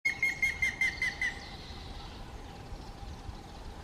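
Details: Grey-headed woodpecker recorded in May 2024, giving a quick series of about seven clear whistled notes that fall slightly in pitch, evenly spaced and fading after a second, against steady low background hum.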